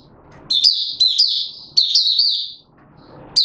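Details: Male white-eye pushed on form, recorded 31 December 2021, sings rapid, high, thin twittering phrases in two bursts about a second apart, then starts another; background quiet.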